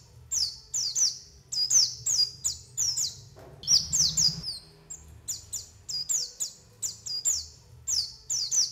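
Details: Lure calls of white-eyes, played to attract wild birds for trapping: rapid run of high, thin downslurred chirps, several per second, overlapping in places, with a brief burst of rustling noise midway.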